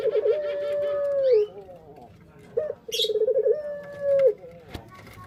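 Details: Male Barbary dove in pelung style: a long, level mid-pitched coo that dips at the end, then a fast stuttering run of pulses leading into another drawn-out coo, with faint chirps in the background.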